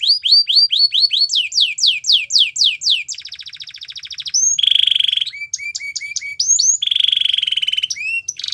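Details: Canary song with a rapid series of sharply rising whistled notes, then a low buzzing roll, a bright sustained trill and short upslurred notes, each section changing abruptly. No other sounds.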